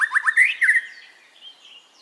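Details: White-rumped shama song used for training caged birds: a quick run of rising, slurred notes ending in a fading high whistle.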